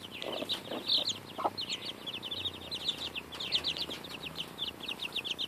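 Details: Young chicks nearly two weeks old pecking at a strawberry, keeping up a dense chorus of quick, shrill peeps in fast bursts, with occasional lower clucky notes and dull pecking knocks.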